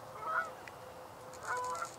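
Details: Canada goose (Branta canadensis) vocalizing on water among gadwalls and northern shovelers: two nasal honks about a second apart, the second drawn out and slightly rising, over light background hiss.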